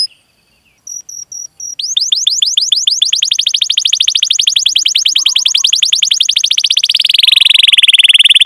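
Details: Canary song as a lure for other canaries to sing: a few short tones, then a long, fast, rolling trill of rapid notes that smooths into a continuous buzzy roll.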